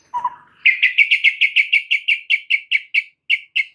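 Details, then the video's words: White-rumped shama lure meant to rile other shamas: one low note, then a fast, even series of short bright notes repeated about four times a second. "PANCINGAN Murai Batu bikin langsung EMOSI murai manapun saat mendengarnya"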